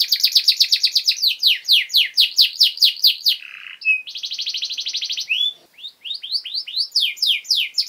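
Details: Pet canary singing a long master song meant for training young birds: fast repeated downward-sweeping trills, a buzzy rattling roll, brief whistled notes, then more descending swept phrases.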